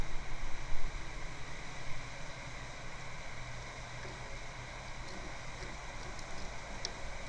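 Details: Steady electrical hum with low rumbling bursts and a few faint ticks, with no animal calls.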